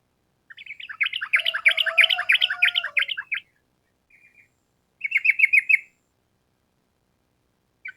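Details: Sooty-headed bulbul in energetic 'gacor' form, singing the long rapid 'ropel panjang' style used as a training recording for songbirds. A fast run of bright chattering notes repeats for about three seconds, then a shorter burst and a brief start.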